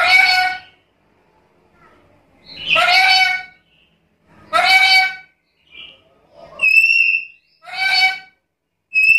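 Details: Black-capped lory in full, lively song with a complete repertoire: harsh, grating squawks alternate with short, clear whistled notes in a loud, uneven sequence, with silent gaps between them.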